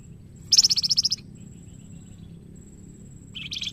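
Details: Young golden-bellied gerygone singing as a master bird for training. A very high, rapid trill of about a dozen bright notes lasts roughly half a second. A long silence follows, then another high burst starts, over faint low background hum.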